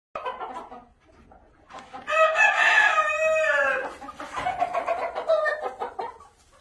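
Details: Black Old English Standard Game chickens at a hatchery in the US; a rooster gives a long harsh crow rising into a loud sustained middle note, with softer clucking and calling before and after.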